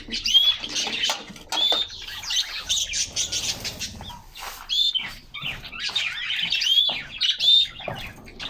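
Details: Several canaries singing in a cage in summer sunshine: phrases of rapid high chirps and twittered trills with short pure whistles, separated by brief gaps and soft clicks of birds moving about.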